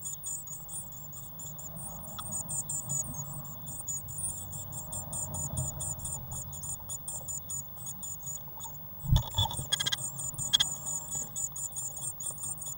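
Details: Eurasian blue tit chicks in a nest box on 1 June 2016: steady run of thin, very high peeping calls, then a brief pause broken by several sharp knocks and scraping sounds, calls resuming afterward.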